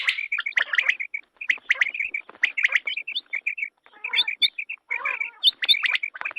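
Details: Female common quail calling in Pakistan, in a quail hunting context: quick runs of high, thin chirps, several per second, with scratchy clicks between the bursts.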